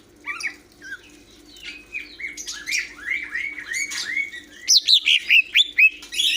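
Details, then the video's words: Greater green leafbird song: a jumble of short whistles and chirps, building to a loud closing string of bright, evenly spaced notes, with a low background hum. "Burung Cucak Hijau"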